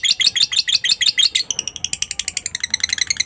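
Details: Lovebird ngekek chatter meant to stimulate other lovebirds: sharp, high twittering pulses at first, then a quicker staccato rattle of clipped notes.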